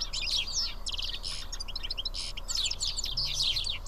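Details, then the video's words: At Karyotissa, Greece, roughly seven house sparrows sitting and eating together give lively bursts of chirps and fast trilled twitters from several birds. "Σπουργίτια (ήχος και εικόνα)"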